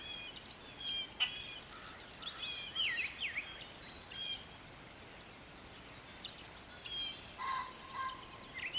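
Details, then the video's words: Spring garden singing by a brown thrasher. Scattered, fairly quiet phrases of chirps, slurred whistles and buzzy notes, ending with a couple of lower, clearer notes. Soft steady background noise. "A Brown Thrasher Singing in the Garden"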